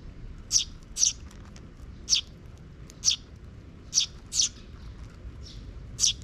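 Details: High, short sparrow chirps at uneven intervals, about eight notes in six seconds, recorded on 12 June 2023 in a park where young chicks trail after scouting parent birds; low background rumble throughout.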